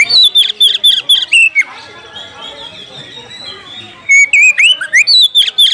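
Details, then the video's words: Oriental magpie-robin challenging a rival to fight with two fast runs of loud whistled notes, each note sliding down in pitch. The runs are divided by a quiet gap of background murmur. "panggilan kacer mencari lawan tarung"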